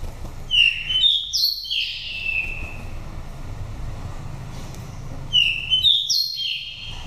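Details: Wild-type song of an oriental magpie-robin taken from the nest in Dak Lak, five seasons old, a voice meant to stir birds coming into condition or to lure wild birds: two bouts of clear, rich whistled phrases, rising and falling, with faint low rumble.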